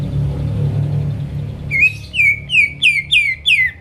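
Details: Greater green leafbird song for provoking rivals into singing: low humming background, then six loud downslurred whistled notes delivered evenly at about three per second.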